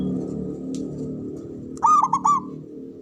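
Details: A local Javanese zebra dove, used as a lure to excite rival doves and boost breeding drive. It gives one short, rolling, bubbly coo phrase of rapid notes late in the recording, over a continuous low hum and faint chirps.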